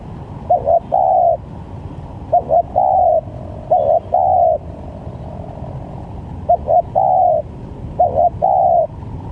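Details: Spotted dove calling for use as a trapping lure: five evenly loud coo phrases, each two short notes then a longer sustained coo, coming every couple of seconds over a low steady drone.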